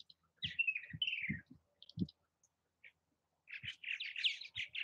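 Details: Purple martins active at bird houses in Southwest Missouri give throaty chirps and descending gurgles, then a pause and a dense burst of overlapping chatter, with scattered low knocks.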